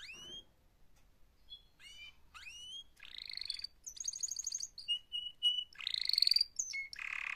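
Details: Canary performing a mating-call song, softer here: rising whistled slurs and chirps, then bursts of buzzy trills and a steady piping note, with varied phrases following in quick succession.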